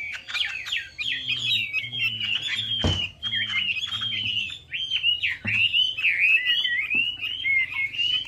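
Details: Hwamei (melodious laughingthrush) singing a lure song: flowing clear whistles and slurred phrases, sharp upward sweeps toward the end, one loud click midway and soft low pulsed tones behind.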